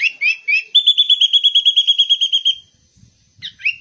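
Sooty-headed bulbul opening with three quick whistled phrases, then a fast, even trill of about fifteen bright notes over two seconds, ending with more chirps.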